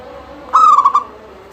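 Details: Local zebra dove in full steady song, its voice used to get other doves singing: one short bright cooing phrase with quick stuttered notes in the middle, over faint background hum.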